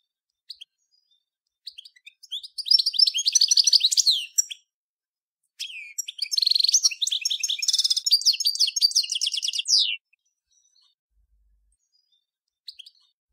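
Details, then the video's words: Major-type European goldfinch song in two long bursts of rapid tinkling twitter and buzzy trills, separated by a brief pause, with a few scattered high chips before and after. "صوت الحسون الأصلي - Stieglitz Major Beste Gesang - Le roi du chardonneret"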